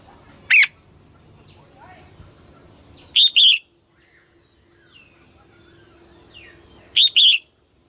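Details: Female red-whiskered bulbul, early 2022 season, singing to rouse males: one sharp single chirp, then two bursts of paired arched notes about four seconds apart, loud against a quiet background with a faint steady high tone.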